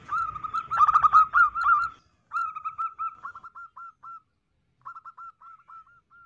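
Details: Zebra dove female giving a luring call for males: a loud, rough flurry of quick notes with low rumble, then a pause and a trail of soft, clipped coos in small groups, tapering away.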